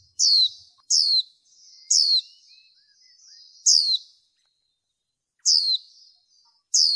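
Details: Training call of a female white-eye meant to arouse males: six piercing, high, descending notes, first in quick succession and then after longer pauses, with faint soft chatter in between.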